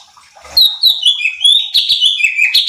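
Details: Training recording of a cucak cungkok bulbul meant to stir other birds into song: a lively, unbroken string of clear, falling whistled notes, rapid and slightly varied, loud and close.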